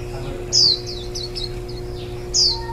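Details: Warbling white-eye tending ten-day-old nestlings a day before fledging, July 2018. Two loud, piercing, downward-slurred high calls, with a quick run of softer chirps between them, over a low hum.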